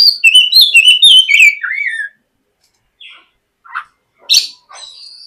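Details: White-rumped shama lure song for prompting a young shama: a quick tumbling phrase of whistled notes stepping down in pitch, followed by scattered soft chips and one sharp high note.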